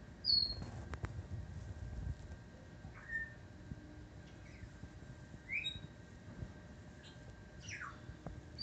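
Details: Pet African grey parrot vocalizing: scattered short whistles, some high and falling, others brief upslurred or downslurred notes, spaced a second or more apart over a faint steady indoor hum.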